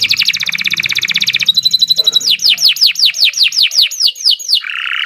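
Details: Kenari Nusantara canary in continuous gacor song: a very fast high rattling trill, a thin whistled note, then a series of about a dozen descending swept notes, ending in a buzzy roll.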